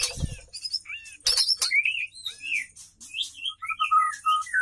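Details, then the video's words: Female white-rumped shama singing to lure a male, giving short clear whistles and slurred upward notes between a few harsh rustling bursts. "murai betina gacor"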